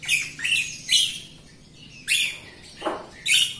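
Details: Jalak Rio myna in song, used to stimulate other Jalak Rio birds that are new or reluctant to sing. It gives grating, rasping bursts in uneven groups, with one lower harsh note partway through.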